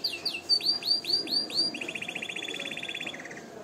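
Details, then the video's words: ['Canary song used for tutoring and to excite females into mating: a series of clear downward-sweeping whistles repeated about five times, then a fast, even, buzzy trill held for over a second, ending in a lower trill.'] "اقوى تغريد كناري للتسميع و تهييج الانات للتزاوج"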